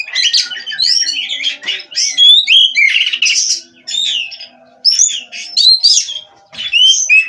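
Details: Oriental magpie-robin from Cirebon breeding stock singing energetically: short bursts of whistled slurs and buzzy chatter separated by brief pauses, each phrase different.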